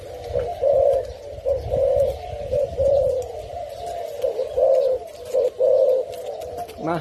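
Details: A tame male fancy mutation spotted dove in Thailand gives soft, low, hollow coos in short phrases, about one a second, as part of his courtship display, with faint rustling in the background.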